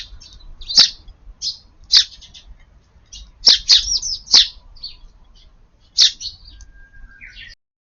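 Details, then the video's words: Garden-feeder sparrows on 4/18, one selfish bird chasing rivals away from the seed: a lively series of bright, high chirps and twittering notes, some doubled, spread irregularly across the clip. "スズメが庭に来ました！ No449 short 4/18 我ままチュン"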